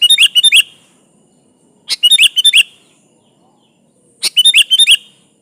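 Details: Sooty-headed bulbul, kutilang gacor song for luring a rival: three lively phrases of quick, bright chirps, each a rapid run of several notes, separated by quiet gaps.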